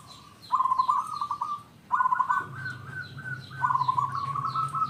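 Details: Three bursts of fast, rolling staccato coos from a local wild zebra dove, a decoy singer meant to draw other zebra doves into song. Faint high chirps of other birds sound in the background.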